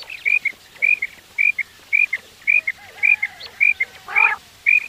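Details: Quail calls used for hunting, in the morning: a clear, short, whistled double note repeated steadily about every 0.6 seconds, nine times in five seconds, with one brief harsher burst near the end.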